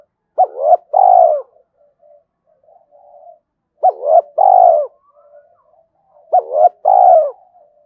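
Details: Spotted dove calling as a decoy to draw wild doves in to fight: three repeated phrases, each a quick double hooked note then a long harsh falling coo, faint low murmurs in between.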